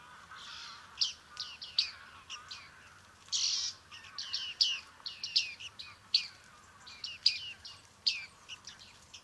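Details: Several bearded reedlings calling at Liepāja, Latvia, July 2023: rapid series of short metallic pings and nasal chirps, irregular and overlapping, with one harsher rasping note around three seconds.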